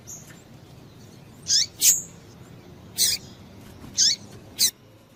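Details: Female double-collared seedeater calling: five short, sharp, high chirps, each dropping steeply in pitch, spaced unevenly over about five seconds against a quiet background.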